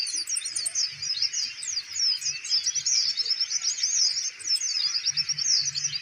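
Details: Kolibri ninja, the Van Hasselt's sunbird, caged and undisturbed by handling, sings a dense, high, scratchy twittering stream of rapid notes, with soft low thumps of handling heard beneath.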